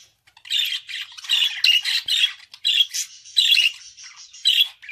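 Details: Budgerigar warbling in a dense stream of scratchy chatter and sharp squawks, bursts rising and falling every half second, with short clicks and quieter gaps between phrases.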